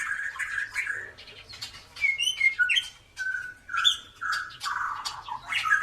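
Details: White-rumped shama song, used for teaching other birds to sing, with separate clear whistled phrases, sharp rising notes and short chattering bits, spaced by brief pauses over a low background hum.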